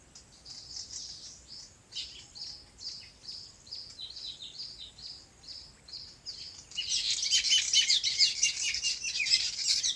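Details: On a farm, birds chirp in their natural habitat, repeating short, high twittered phrases about every second; later a denser, louder chorus of high chatter takes over.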